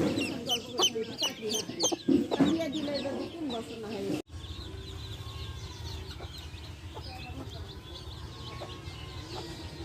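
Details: Hen with baby chicks: several seconds of busy clucks and high chick peeps, then an abrupt cut to quieter hum with faint distant notes.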